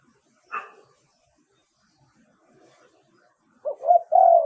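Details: Spotted dove from Thailand calling as a decoy for wild doves: a sharp click, a quiet stretch, then a phrase of short hoots running into a long, mellow coo.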